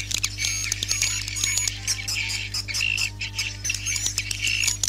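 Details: Night sound for a swiftlet bird house: many swiftlets chattering at once, with sharp high squeaky chirps and short buzzy bursts in quick succession above a constant low hum.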